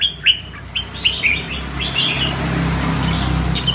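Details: Red-whiskered bulbul, a kept songbird, giving a performance-style song: a few bright, clipped whistled notes in quick succession, then fading under steady low traffic-like noise.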